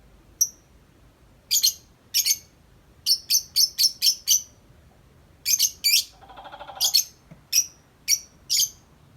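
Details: Tame lovebird outside the cage, chattering long and nonstop: clusters of piercing high chirps, paired and tripled, with a brief softer buzzing note midway.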